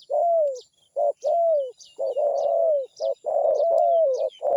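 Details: Zebra dove cooing steadily: loud, low, hollow phrases that alternate short staccato coos with long, gently descending drawn notes, repeated in quick succession. Faint high chirps from other birds sound above.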